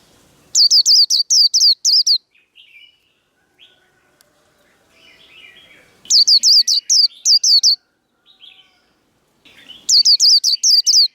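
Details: Japanese white-eye in fighting song for cage-bird training: three separate bursts of rapid, high, sharply falling whistled notes, each several notes long, separated by quiet gaps with faint low twittering.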